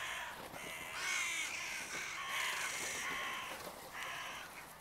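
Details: Crows on an evening, giving a run of hoarse, drawn-out caws that overlap one another and fill nearly the whole stretch, over a steady hiss.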